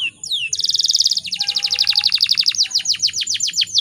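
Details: Canary hen in breeding condition luring males to sing. One downslurred whistle, then a dense buzzy roll, then a long rattling trill of repeated notes that slows into separate downward strokes.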